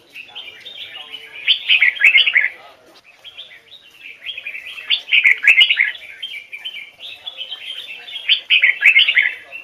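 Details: A trained red-whiskered bulbul of Hoài Sơn forest stock sings double-note phrases: three loud bursts of quick, bubbling whistles, each a few seconds apart, linked by softer continuous twittering and faint clicks.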